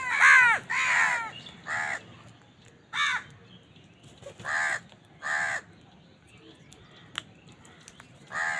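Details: A crow calling while feeding, crows fighting over food. Two loud, grating caws open a series of about eight nasal caws, later ones shorter and spaced over several seconds.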